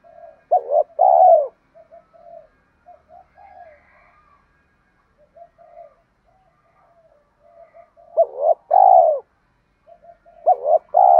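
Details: Male and female spotted doves, meant for training cooing doves: three loud phrases of a double hoot and a long, wavering coo, separated by many soft, scattered murmuring coos.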